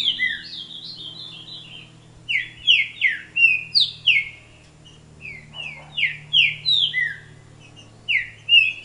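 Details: Bred rufous-bellied thrush singing strings of sharp, falling whistles, phrases of four to six notes broken by brief silences, over a faint steady low hum.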